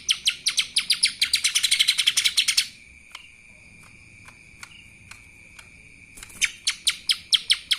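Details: Lesser green leafbird (cucak ijo mini) singing a 'kapas tembak' style song: a fast burst of sharp, high chirps, then a long, steady high tone with faint chips, then another quick run of chirps.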